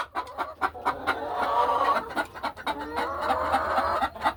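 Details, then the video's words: Several laying hens murmur in their hen house during a calm afternoon on the farm, moving about nesting boxes and ledges; overlapping low, soft clucks blend into a steady chatter. "A Peaceful Afternoon in the Hen House | Real Farm Sounds"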